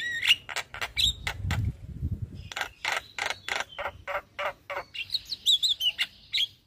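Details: Javan myna singing in the morning, a master recording for training caged birds: rapid series of harsh clicking notes mixed with whistled rising and falling phrases, ending in a buzzy whistled run; low rumble in places.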